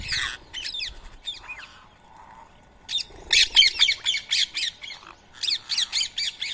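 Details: Rose-ringed parakeets at an early-morning feeding of soaked boiled rice, Coimbatore, India, 31 March 2024; scattered harsh notes, then a loud insistent series of grating squawks, roughly two per second.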